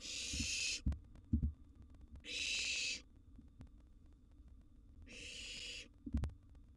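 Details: In its nest box a wild barn owl nestling, eating a sizeable gerbil, utters three long rasping hisses, with thuds and tapping in the gaps.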